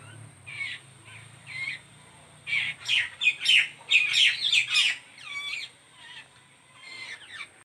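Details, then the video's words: Chick being fed by its mother: a few spaced raspy calls, then a loud, excited flurry of rapid harsh squawks, tapering into softer scratchy notes, with a low hum early on. "Bird mom feeding his baby"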